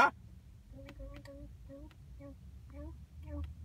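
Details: A pet macaw at home talks with another bird in a quick string of short, voice-like syllables, about eight in three seconds, over a low indoor hum.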